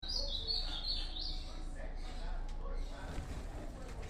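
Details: Ultramarine grosbeak singing a quick warbled phrase of high, sliding whistled notes for about a second and a half, then falling quiet over a steady low rumble of background noise.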